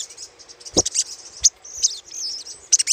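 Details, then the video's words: Brief burst of little spiderhunter chatter meant as a lure: high, buzzy twittering with a few sharp chips and one short low thump. "PANCINGAN SUARA CRECETAN SOGOK ONTONG"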